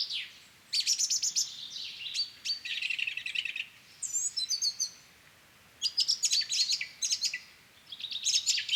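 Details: Song thrush singing in a garden, with a chaffinch singing at the same time; bright, varied high phrases in bursts, some short notes repeated, separated by brief pauses, a mix that sounds like many different birds.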